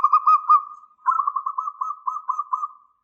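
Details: Local zebra dove singing with a big voice, used to lure replies: a brief pulsed coo phrase, a short pause, then a longer rolling trill of evenly spaced, slightly wavering notes that fades out.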